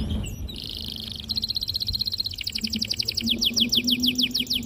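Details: Canary rolling song used to train young birds and provoke others to answer: a buzzy steady trill leading into a fast rattling roll of repeated downslurred notes, about three per second, with faint low hum behind.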